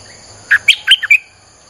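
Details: Single phrase of Streak-eared bulbul song, used as a lure for wild birds: five brisk, clipped chirps in quick succession, the middle notes higher and the last one slightly drawn out, with a faint steady high whine behind.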